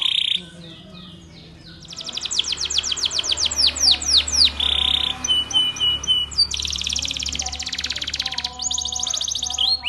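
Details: Spanish Timbrado canary singing a training song over a low background hum; a quiet start gives way to rapid falling whistles, a buzzy note, sparse clicks and a long dense pulsed roll.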